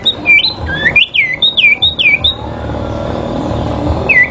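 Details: Sooty-headed bulbul song during a fighting duel: a quick burst of loud, liquid whistled notes that swoop up and down over about two and a half seconds. A steady low hum follows, then one last whistled note near the end.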